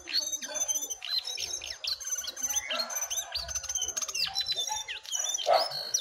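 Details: Caged jongkangan answering a wild one in a singing contest, recorded simply; overlapping shrill whistles, quick chirp series and scratchy notes with no break.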